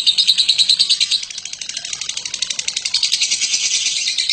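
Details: Batman lovebird in long ngekek chatter, a recording for training birds: quick high, squeaky pulses, strongest in the first second, then a softer, steady rattle continuing.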